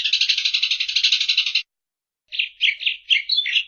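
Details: A Eurasian tree sparrow's fast buzzing rattle lasting under two seconds, followed after a pause by four separate sharp chirps.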